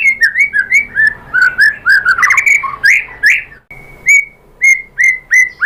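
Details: White-rumped shama lure song for prompting other birds to reply: rapid looping whistled phrases, then a run of evenly spaced, clear, upslurred whistles after a short pause.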